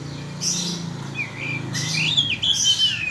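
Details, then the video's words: Oriental magpie-robin lure song for provoking birds: a few high whistled notes, then a louder varied phrase of rising slurs and harsh chips over a steady low hum. "Pancingan kacer bunyi"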